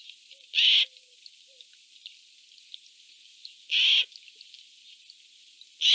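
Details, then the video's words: Eurasian jays fighting over food: three loud, harsh, rasping screeches, each short and grating, spaced about three seconds apart, with faint soft bird sounds between them. "Jays fighting for food 💥 Is it because they are happy that they are making noises❓"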